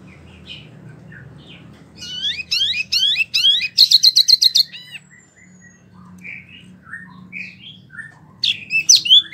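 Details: Small caged wambi delivers a rolling song: after quiet soft chips, a burst of quick rising and falling whistles and a dense high buzzy trill, then a pause with scattered notes and another brief burst.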